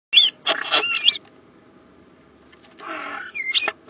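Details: Two common starlings at a nest box, filmed by a nest camera: bursts of harsh rasping chatter mixed with squeaky, bending whistles, with a quiet gap of about a second and a half between the two bursts.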